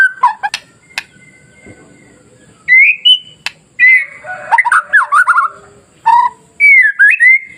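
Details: Masteran song of a White-rumped shama, played to stir other timid shamas into emotional, constant song: scattered clicks and sharp notes, then loud rising whistles, a jumbled warbled passage and clear up-slurred phrases separated by short pauses.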